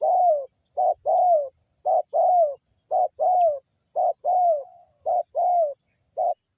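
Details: Spotted dove coos from Indonesia, a wild local bird used as a lure to make other doves call back: a short coo followed by a longer falling coo, repeated about once a second, clean and without other sounds.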